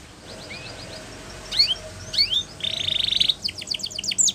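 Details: Spanish Timbrado canary song for training, beginning faint with scattered whistles, then a loud buzzy metallic rattle followed by quick sharp descending notes.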